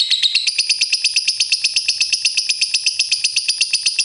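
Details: Lovebird ngakak, used as masteran: a rapid, continuous chattering trill of sharp high notes, close to three per second, steady throughout.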